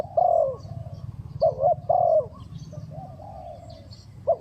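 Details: Spotted dove cooing fast as a trapping decoy: a few low, bending coo notes separated by gaps, over a rumbling low background and faint high chirps.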